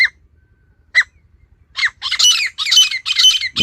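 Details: Female wild partridge calling naturally: after near silence and one isolated squawk, a burst of loud, harsh, rapidly repeated squawking notes begins and continues to the end.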